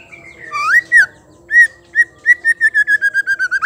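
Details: Calls of a female white-rumped shama, used to provoke males to sing: a few slurred whistles, then an accelerating series of short, clear whistled notes that run closer together toward the end. The background is quiet.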